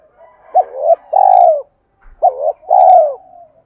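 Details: Two close spotted dove phrases, a cooing style used to excite wild doves: each a quick hollow double note followed by a long, rich, falling coo, with faint soft cooing underneath.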